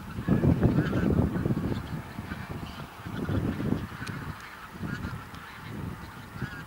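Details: Large flock of bean geese in a field, Texel, Netherlands, November 2014; loud burst of massed honking at the start, then a steady murmur of overlapping calls over a low rumble.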